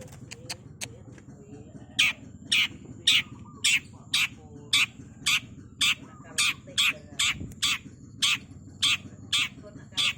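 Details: Long-tailed shrike in a fast 'super speed' masteran songbird recording: loud, harsh, broadband rasping notes repeated about twice per second in a steady series. A faint trill and low steady hum sit in the background.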